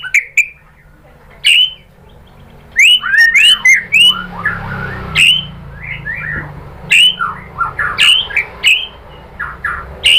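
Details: White-rumped shama (murai batu) song used to provoke other birds into singing: scattered bright upslurred whistles and clustered chattery phrases, with quieter gaps between bursts.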